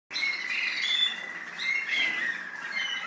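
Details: American singer canary in the UAE singing a continuous warbled song, a steady tonal band with bright whistled notes, loudest near the start and again around two seconds, with no other sounds.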